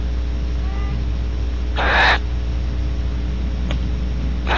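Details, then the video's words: Barn owl at Audubon Starr Ranch, California, female wheezing after mating as the male sneaks up: one clear breathy hiss near the middle, a faint click later and another hiss starting at the end, over low steady hum. "Female's good wheeze after mating"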